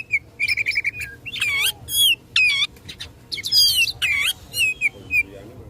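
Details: Oriental magpie-robin, a caged bird singing in a fighting mood to rouse rivals: a rapid stuttering trill opens into loud, complex swooping whistles and rich warbled bursts, densely packed, with faint low hum.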